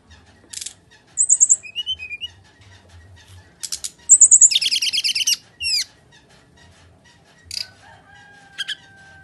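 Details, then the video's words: Bali myna in energetic fighting song, used to lure a quiet bird into singing: varied sharp chattering bursts, high trills, a harsh rasping stretch and slurred whistles, with long pauses and faint low rumbling. "SRDC Full Tarung GACOR//Cocok Untuk Pancingan SRDC Malas Bunyi"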